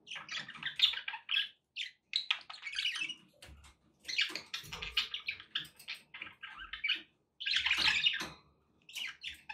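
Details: Pet budgies chattering as company for a pet parrot; loud bursts of harsh, twittering warble alternate with quieter scratchy clicks and short silences.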